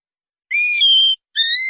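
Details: Common linnet, clean 'pardillo limpio' song from a 2019/2020 CD: a clear whistle that steps into a held flat tone, then after a short gap a second rising whistled note begins.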